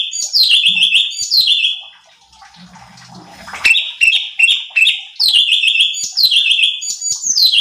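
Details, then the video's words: Cucak cungkok bulbul singing, from a training recording meant to rouse other songbirds: bursts of quick whistled notes dropping into a trilled high run, a short quiet gap with faint background noise, then the phrases resume rapidly. "CUCAK CUNGKOK GACOR || Pancingan Cucak Cungkok Malas Bunyi | Bikin Emosi Burung Lain"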